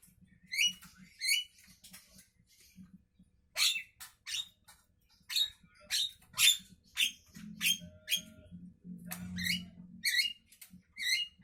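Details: Javan myna in the morning pouring out a busy series of harsh squawks and rasping, noisy bursts, some rising sharply, delivered almost twice a second at times, with a low rumbling murmur partway through.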